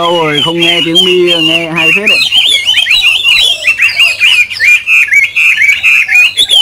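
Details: A low, buzzy, harmonic sound opens for two seconds, then a captive Chinese hwamei takes over with a continuous run of bright, twisting whistles and quick warbled notes.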